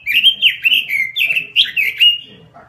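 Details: Robin singing gacor (vigorously) in a small cage: a fast, fluent phrase of bubbly, dipping whistled notes, loud and clear, trailing off after about two and a half seconds; faint low hum.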